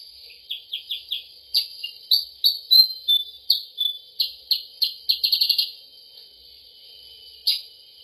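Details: Lure sound for the sooty-headed bulbul: rising chirps, then a burst of quick sharp notes ending in a fast stutter, followed by a pause and one final chirp.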